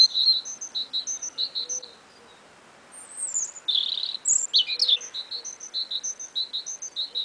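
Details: Two small songbirds singing together, perhaps competing, in early spring, with a third backing singer at times: high, thin chirping runs of three or four notes a second, a brief pause, then buzzier, sweeping notes.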